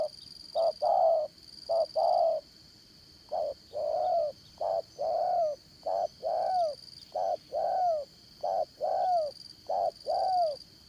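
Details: Spotted dove decoy for trapping, 'Đồng Son' voice style, cooing steadily in short-and-long pairs, the longer notes sliding down at the end, roughly forty-eight notes a minute, with a faint high hum.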